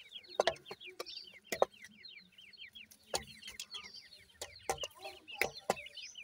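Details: A flock of irani teetar chicks, Iranian francolins, chirping rapidly. Thin descending peeps run in steady overlapping series, punctuated by hard clicking knocks every second or so.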